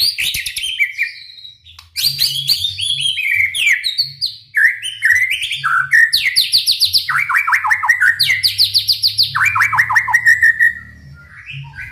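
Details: White-rumped shama song used to provoke other shamas into singing: loud, varied phrases of rapid repeated downslurred notes, sweeping whistles and trills between mid and high pitch, with brief pauses and a low hum underneath.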